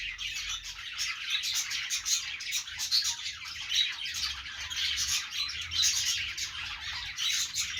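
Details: Budgerigar in a happy mood, an Australian parrot: unbroken high warbling full of quick clicks, chirps and squeaky notes, steady loudness throughout, with faint low rumble underneath.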